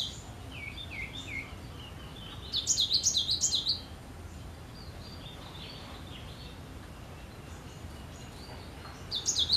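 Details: Singing cinereous tit: a few lower chirps open, then a burst of bright, high, rapidly repeated zigzag notes, a pause with soft distant calls, and the fast phrase starting again at the end.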